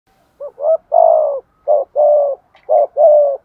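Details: Spotted dove singing a structured coo in the thúc gù or gáy gọi style: six deep, hoarse coo notes in quick groups, short notes alternating with longer drawn-out ones, clear against a quiet background.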